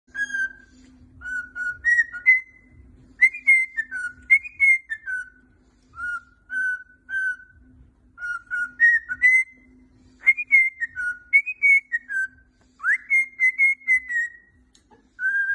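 A cockatiel whistles a tune of clear, sliding notes in repeated phrases, over a faint steady hum.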